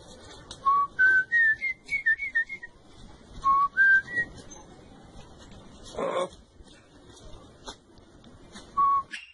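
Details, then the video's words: Troupial song meant for teaching a caged troupial to sing: short, clear whistled notes climb in a quick series and then break off. Two notes repeat after a pause, with a soft noisy burst and steady background hiss. "AVE TURPIAL ¿, HERMOSO CANTO DE AVE NATURAL"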